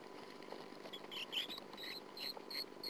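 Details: Sand martin at the nest, filmed by a nest camera in 2009: a run of short, thin, high chirps, several given in quick succession and growing more regular toward the end, over a steady background hiss and low hum.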